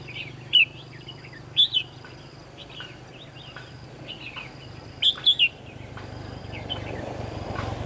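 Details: Red-whiskered bulbul singing as a decoy in trapping, with scattered bright whistled notes and a cluster of three fast loud notes, while low rumbling noise rises near the end.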